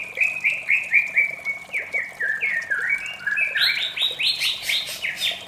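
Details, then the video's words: White-rumped shama singing in the morning: a series of mellow downslurred whistles, then a quick run of higher, sharper notes delivered at an even, rapid beat. "suara merdu murai batu di pagi hari"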